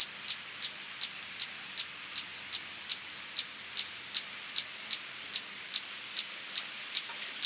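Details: A steady series of about twenty thin, high chips from a Violet-crowned woodnymph, repeated roughly every 0.4 seconds with little variation; the background is otherwise quiet.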